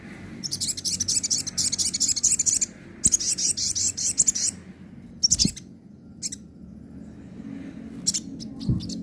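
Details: Sogon song of the nembak and ngobra styles, played as a tutor recording for sogon birds that have stopped singing. It has bursts of high, harsh, rapidly pulsed buzzing rattles, some lasting two seconds, separated by gaps, over a low background hum.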